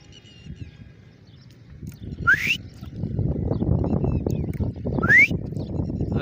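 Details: Grey francolin giving two upward-sweeping whistled notes about three seconds apart, partly masked by loud rustling and rumbling noise nearby.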